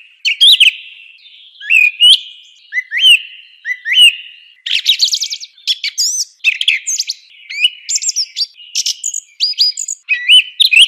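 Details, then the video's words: Song thrush singing: rising slurred whistles repeated a few times, then rapid clusters of chirps and buzzy trills, loud and high-pitched throughout. "صوت السمنة المغردة"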